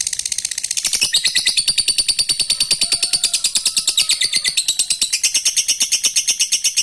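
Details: Lovebird giving a long ngekek, a rapid chattering trill of about ten harsh pulses per second, used to provoke other lovebirds into ngekek; a brief faint opening gives way to sustained high buzzy pulses that shift pitch midway.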